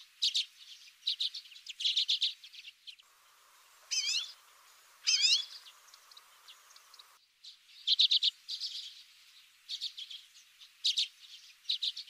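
Common redpoll giving dry, rattling chett-chett notes in quick clusters, broken midway by two rising, wavy, whistled calls.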